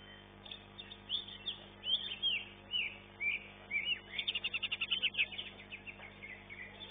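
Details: A greater green leafbird in a songbird contest sings loud, varied, slurred whistles, then a quick run of about ten sharp repeated notes over a faint steady background hum.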